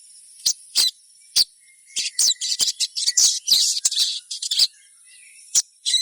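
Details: Little spiderhunter (sogon) chirping used as a lure to get other sogons singing: sharp, very high chirps and twitters, scattered at first, then a dense run of overlapping notes in the middle, then a few more isolated chirps, over a steady high hiss.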